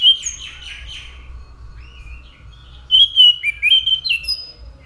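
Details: Orange-headed thrush in lively song: varied whistled phrases, slurred and warbling, in bursts with short pauses, richest in the second half; steady low hum beneath.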